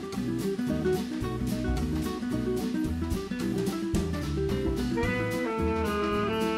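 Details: Acoustic guitar music with plucked and strummed chords plays steadily throughout, and no animal sound is heard.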